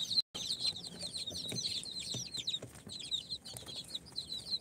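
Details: Four-day-old chicks hatched in an incubator, of Sultan, Golden Sebright, Cochin and booted breeds, producing a steady stream of high, short peeps. There is a brief dropout near the start and soft bumps and rustles.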